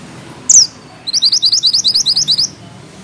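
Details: A single sharp, high note from a bushchat, then a tight, rhythmic series of about ten quick, evenly spaced chirps, all thin and bright.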